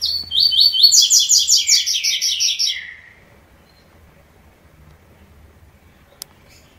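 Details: Double-collared seedeater singing the three-note song style: a fast, even series of bright, sharp repeated notes lasting about three seconds, then dropping lower at the end, followed by near silence with one click.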